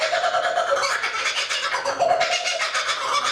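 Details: A lone kookaburra perched quietly in a tree by Tuggerah Lake, Australia, gives a raucous, unbroken stream of harsh chuckling notes with hoarse, rolling cackles, loud and dense from start to finish.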